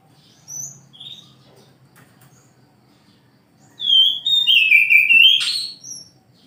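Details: Oriental magpie-robin in the morning: a couple of faint high notes, a pause, then a loud phrase of descending slurred whistles ending in a sharp rising buzzy note, with a low hum beneath.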